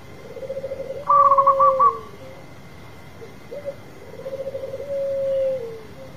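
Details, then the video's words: A champion local zebra dove sings vigorously and loudly: soft, rapid rolling coos in a low trill, then a louder, higher burst of notes, before the low trill repeats, over a faint steady hum. "Perkutut lokal gacor manggung suara besar"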